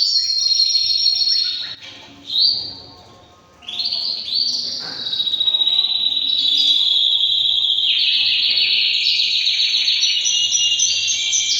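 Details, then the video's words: White male canary aged three years singing: a few trilled phrases, a brief pause near the start, then a long, steady, high rolling trill that continues with slight pitch shifts to the end. "beautiful male canary singing"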